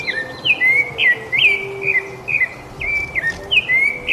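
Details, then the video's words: Singing rufous-bellied thrush in a quiet setting, giving bright whistled notes that slur downward, repeated steadily about every half second, over a faint low steady hum and light background hiss. "El zorzal colorado cantando en el silencio"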